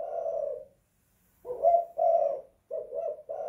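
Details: Tekukur, the spotted dove, cooing inside a house in the 'kuk 2 / guk 1' pattern: a drawn-out coo fades out, then after a brief silence come a rising double coo and two shorter hoarse notes.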